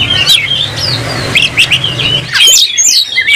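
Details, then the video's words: Oriental magpie-robin (kacer) singing vigorously while fighting, tail spread and agitated: short clear whistled phrases and sharp rising and falling notes, brief bursts with gaps, a louder cluster of high twittering near the end. "Kacer gacor langsung tarung buka ekor bongkar emosi"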